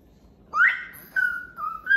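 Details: Pet cockatoo at home whistling: a rising whistle sliding up to a held clear tone, then two level whistled notes, with a person's voice nearby.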